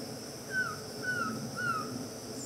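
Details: Black-throated trogon recorded at Itapiranga: three mellow whistled notes, each sliding slightly downward, spaced about half a second apart against a constant high insect hum.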